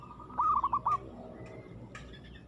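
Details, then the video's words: Zebra dove, called aggressive, giving one short phrase of four or five quick bubbling coo notes, followed by quiet background hiss and a faint distant whistle. "suara perkutut gacor agresif mental baja"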